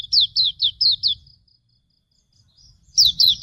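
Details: Hume's white-eye singing a master song for training birds: quick series of high, thin downslurred whistled notes, about five in a row, then a pause of over a second before another burst of two notes.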